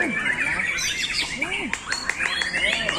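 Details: Competition white-rumped shama singing in its own style from one spot with little display: varied whistled phrases with rising and falling sweeps and rapid chirps, dense overlapping notes, faint low warbles beneath.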